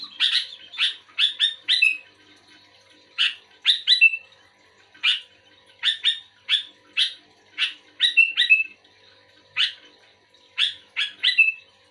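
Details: Sooty-headed bulbul in lively song answering another bulbul, repeating phrases of three or four harsh chirps that end in a short downslurred whistle, separated by pauses of about a second.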